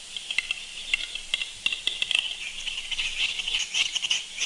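A Western capercaillie gives dry, irregular clicks that quicken into a dense, scratchy grinding toward the end. A faint low hum sits beneath.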